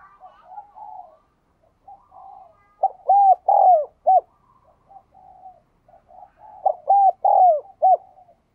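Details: Spotted dove cooing to prompt newly caught caged doves to coo: soft, murmuring low coos lead into a loud phrase of four hollow, arched notes, repeated once after a quieter stretch.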